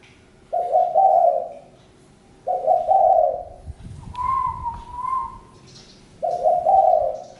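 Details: Spotted dove repeating low, rolling coos, four phrases in seven seconds; a higher, thin, steady whistle from another bird plays in the middle, with a soft thud just before it.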